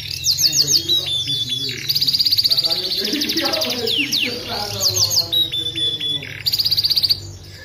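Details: Aviary canary singing vigorously, presented as training material: bursts of fast high pulsed trills and whistled notes, broken by lower harmonic chatter from other sounds.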